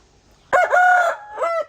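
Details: Aseel rooster on a farm crowing: a loud, harsh, strained crow with a sharp start, a sustained middle and a falling tail.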